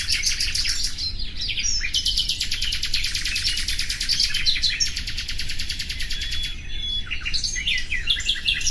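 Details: Loud, continuous rattling trills of fast repeated notes from a common nightingale, broken by short whistles and slurred notes, with low background noise.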